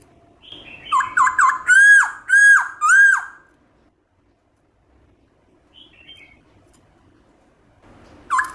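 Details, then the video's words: Black-throated laughingthrush in wild-style song, used for stimulating caged birds: a fast run of short whistles leads into three long, down-swooping whistled notes, then near silence before the singing resumes at the end. "Khướu bạc má hót giọng rừng kích khướu nhà bạn căng lửa"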